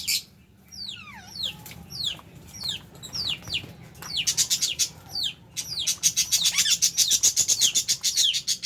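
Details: Pet lovebirds kept alongside budgie parrots chirp while eating. Sharp, high, down-slurred chirps come singly at first, then swell into a dense, continuous chatter of rapid overlapping shrill notes in the second half.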